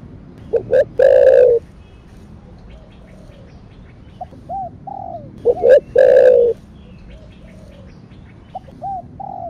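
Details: Spotted dove cooing in the thổ sấm, or thổ đặc thúc, manner: two full phrases of paired short hoots ending in a long, loud, vibrant coo, with quiet arched notes in between.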